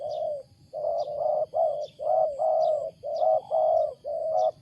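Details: Rapid run of loud, strange coos from a wild spotted dove: long hollow notes packed almost back to back, about eight in under five seconds, while faint high chirps of small birds sound behind.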